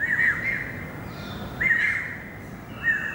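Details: Greater racket-tailed drongo song from 7 February 2018, with three short bursts of harsh, squeaky chattering notes spaced about 1.5 seconds apart against a low rustling background.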